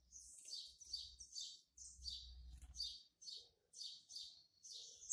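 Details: Young male double-collared seedeater, born March 2019, singing to mark its territory: a quiet series of high, slurred twittering phrases that repeat roughly every half second, with a low hum underneath.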